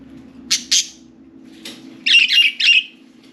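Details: Four pet budgerigars playing and talking in and on their cage; two quick scratchy chirps, then a fast run of three loud squawky notes, over a steady low room hum.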